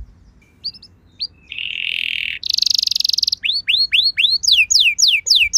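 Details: Canary song used as a lure to prompt other canaries to sing: a few faint short notes, then a buzzy sustained trill, a rapid fine rattle, and a series of loud falling then rising whistled sweeps about twice per second.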